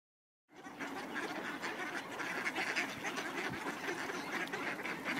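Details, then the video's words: Ducks crowd in to be fed at Cuerden Valley Park on a snowy walk, giving a dense, continuous chorus of harsh overlapping quacks that starts abruptly after a moment of silence. "Feeding Ducks"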